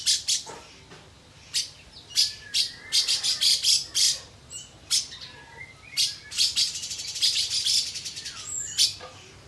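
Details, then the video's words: Lovebird singing a fast run of sharp, high chirps and buzzy trills in dense clustered bursts, with short pauses between phrases and a few lower squeaky notes. "love bird isian katem"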